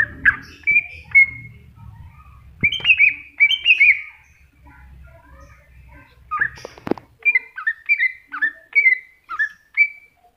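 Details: Greater green leafbird, masteran recording, giving loud whistled phrases in bursts, with a quiet pause mid-way, then a rapid series of about eight short slurred whistles repeated roughly every half second.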